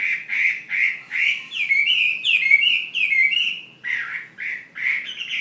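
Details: Chinese hwamei, a fighting bird from Ha Giang, Vietnam, singing a loud series of rich whistled phrases, mostly slurred, rising and falling notes repeated in quick succession, with a short pause near the end before resuming.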